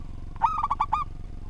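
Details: Local zebra dove singing steadily, a tutor recording: one short phrase of about five quick, rolling, throaty coo notes at an even mid pitch, over a low background hum.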